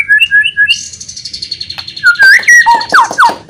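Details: Loud White-rumped shama song used to provoke rival birds: short whistled notes, then a long sustained high tone, followed by varied swooping slurred phrases that dip and rise, over a faint low hum.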